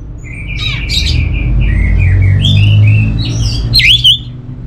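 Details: Orange-headed thrush sings a string of short whistled phrases at varying pitch, ending with a sharp upslurred note. A low, swelling background hum is present.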